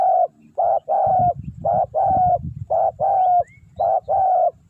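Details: Decoy spotted dove cooing to attract wild doves. Loud paired husky coos, short then long, repeat steadily about once a second, with a low rumbling noise underneath in the middle.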